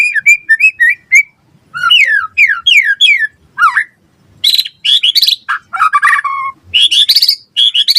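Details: Vigorous white-rumped shama song, quick to answer and used as a training model: a series of repeated descending whistled slurs, then harsh buzzy notes mixed with loud high whistles.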